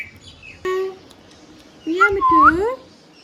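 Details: Hand-tame ringneck parrot kept as a pet, producing low, voice-like harmonic syllables, one short and one longer wavering phrase, over a faint background hum.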